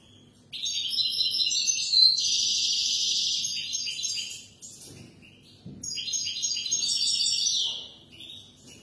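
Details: European goldfinch song to train young birds: two extended, bright, high-pitched outpourings of chattering twitters, trills and buzzy notes, the first about four seconds long, a short gap with faint knocks, then a second rich phrase.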